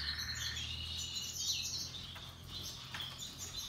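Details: Russian yellow and Timbrado canaries singing cheerfully with other birds in natural habitat: loud warbled trills and quick chirps over a low steady hum.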